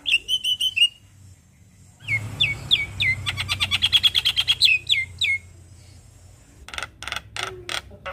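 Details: Javan myna song used as a morning lure to prompt a silent caged myna: a short run of clear repeated whistles, then quick downslurred chirps mixed with dense harsh clicks, ending in loud scratchy bursts.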